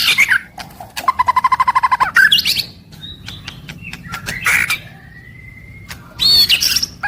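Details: Daily song of a white-rumped shama: a fast, even rattling trill lasting about a second, then scattered high notes, a long thin whistle and a final burst of harsh chattering notes.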